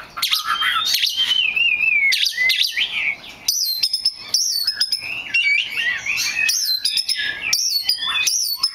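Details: A rare black magpie robin gives a rich, changeable song: first wavering mid-pitched warbled whistles, then rapid high, ringing notes that bend up and down, phrases tumbling one after another with brief gaps.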